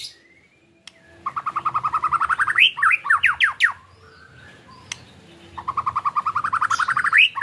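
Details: Ketrekan-style White-rumped shama song, played to push other shamas into singing their learned repertoire. Two long, rapid, even trills of clicking notes frame a burst of steep, descending whistled slurs, with a faint low hum behind.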